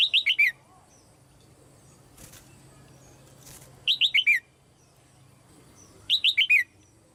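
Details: Red-whiskered bulbul female in a cage, calling so other birds sing: three evenly spaced phrases of four rapid, falling whistled notes roughly two seconds apart, with wing flutters audible in the gaps.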